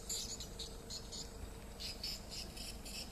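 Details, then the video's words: Swiftlet distress call: quick bursts of sharp, high-pitched chirping clicks in uneven clusters, with a constant electrical hum underneath. "Swiftlet duress Call"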